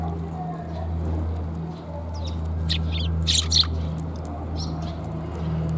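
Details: Several sparrows on a homeward walk, January 17, 2022, giving a short burst of high, sharp chirps clustered near the middle, over a steady low mechanical hum throughout.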